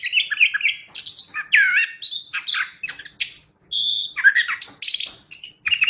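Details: Chestnut-backed thrush in vigorous, full song: a continuous stream of mimicry-like varied notes, slurred whistles, buzzy chatters and high thin tones, with only brief pauses.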